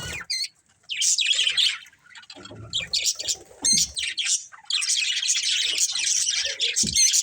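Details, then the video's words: Colourful budgies chatter almost without pause, producing overlapping buzzy warbles, squawks and short rattling trills, with a few soft low knocks. "Cute Colourful Budgies Chirping Sounds"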